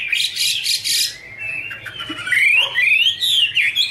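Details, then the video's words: A female Chinese hwamei delivers 'te' with a male in the background: a burst of harsh high chatter, then long rising and falling whistled glides in a loud flowing phrase. "Chim hoạ mi: Mái te đỉnh cao của năm _ có chim trống làm nền"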